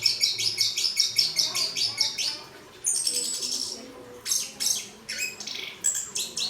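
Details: Orange-headed thrush, from Malang, Indonesia, singing loud repeated bright chirps in quick rapid bursts, followed by high sweeping whistles and further clustered notes, with faint background noise.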